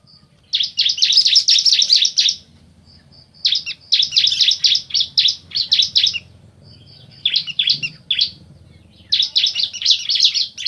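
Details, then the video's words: Bar-winged prinia, male and female duetting: long bursts of rapid, scratchy, high chattering notes, each lasting one to two seconds, separated by short pauses with thin whistled notes and a faint low background hum. "Suara Asli Ciblek Jantan Betina Bersahutan"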